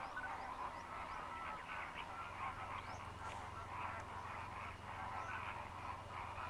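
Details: A huge flock of greater flamingos fishing in the lagoons of Mannar Island, Sri Lanka, as dry-season migrants: constant nasal honking and chattering calls layered over one another, with a few brief higher notes.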